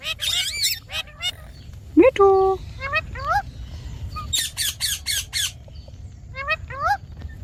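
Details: A green pet talking parrot chatters in short harsh squawks and rising, speech-like syllables with nasal harmonics, in quick bursts with brief pauses.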